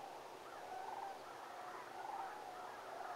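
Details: Distant sandhill cranes at Whitewater park, Brookville, on 12/5/2019, give rolling, rattling calls in a low trumpeting chorus that swells in two or three bursts about a second apart.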